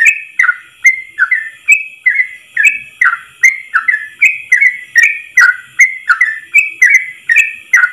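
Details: Training recording of a yellow-vented bulbul's long ropel phrase sung in one breath: clear, slightly slurred whistles alternating higher and lower notes, each tipped with a crisp click, roughly two to three a second, with a faint steady hiss behind.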